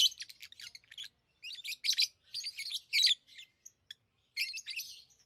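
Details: Lovebirds keep up dense, scratchy, high chirping in clustered bursts, with a longer silent gap before a final chattering run.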